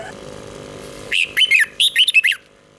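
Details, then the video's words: Red-whiskered bulbul song in the doubled style, played so young birds can learn it by copying. Two quick bursts of bright, warbling whistled notes, about five syllables each, are separated by a brief pause over a faint low hum. "เสียงนกกรงหัวจุกเบิ้ล2 ก๊อปติดง่ายสายปั่นลูกนกไม่ควรพลาด"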